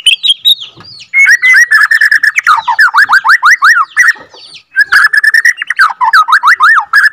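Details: Second-generation captive Borneo white-rumped shama in a long rolling song aimed at exciting other shamas: loud, varied whistled phrases packed with rapid V-shaped sweeps, a brief pause midway, then more fast sweeping notes.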